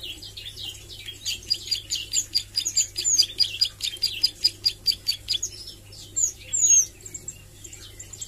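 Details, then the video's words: Bar-winged Prinia (ciblek sawah) youngster practising nglagu and nembak: a steady run of buzzy high chips, roughly two per second, with occasional thin whistles and a trailing burst near the end. "Suara Ciblek Sawah Belajar nglagu dan nembak"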